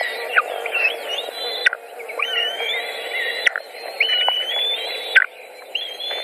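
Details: White-tailed eagles feeding at a nest in Latvia, 14 June 2019: drawn-out, slightly rising whistled wails with sharp downward endings, interspersed with shorter squeaky notes, over a steady low hum.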